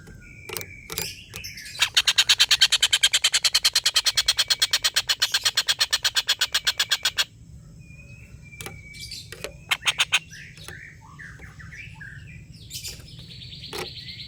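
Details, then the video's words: Collared kingfisher long laughing call for tutoring competition birds. Scattered clicks and chirps lead into a loud, rapid, harsh chatter lasting over five seconds. Softer whistles and short chips from other birds follow. "tengkek buto ngekek panjang"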